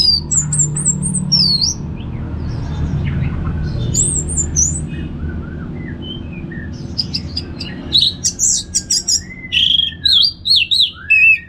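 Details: Orange-headed thrush song, ngeplong style, from North Bali: looping high whistles, a quiet mid-section of soft slurred notes, then a lively end of sharp chirps and descending whistles repeated in quick bursts, low hum beneath.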